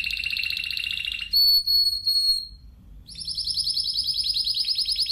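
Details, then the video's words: Spanish timbrado canary singing: a fast rolling trill, then a clear sustained high whistle, a short pause, and another rapid metallic roll. "Timbrado تغريد جميل الكناري تيمرادو الإسباني"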